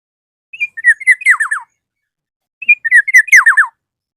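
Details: Black-naped oriole, a vocal bird calling a rival: two rich whistled phrases about two seconds apart, each opening with a short note and ending in a quick run of falling slurred notes, with no other sounds.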